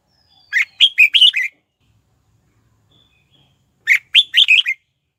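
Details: Red-whiskered bulbul lure bird calling wild birds in to fight: two phrases about three seconds apart, each a rapid string of six whistled notes that rise and fall in a bouncy pattern, against a quiet background.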